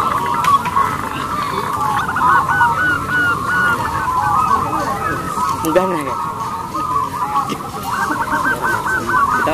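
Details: Crossbred local zebra dove with a big, long, crystal voice, used as a lure: clusters of rapid hooked coos at start and end over a dense dove chorus, with a brief lower sound midway.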